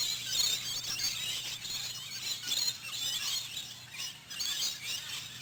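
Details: Afternoon feeding of a wild rainbow lorikeet flock at a Queensland campground, bush stone-curlews nearby; a steady wall of shrill, piercing squeals and chattering screeches from many birds, rising and falling in loudness.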